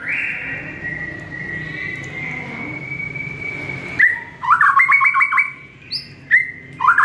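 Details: Morning song of a White-rumped shama, used to train caged birds: one long, steady whistle held about four seconds, then bursts of fast, stuttering, chopped notes with short whistled flourishes between them.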